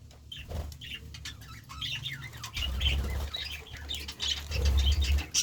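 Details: Budgerigars eating vegetables, with scattered soft chirps and warbles partly masked by a loud low rumble and rustling, growing livelier toward the end.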